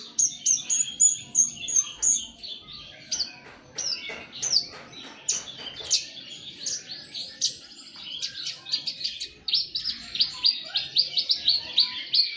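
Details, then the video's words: A Horsfield's (Javan) bush lark practises its song in a long, varied run of high chirps, short trills and thin whistled notes, tumbling rapidly without pause. "Branjangan belajar ngeper"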